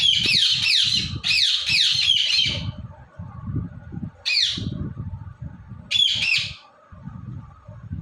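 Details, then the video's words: Indian ringneck parrot, kept as a talking and dancing bird, lets out a rapid burst of three scratchy squawks, then two more spaced squawks, against constant low background rumble. "Ringneck Parrot Talking & Dancing Video"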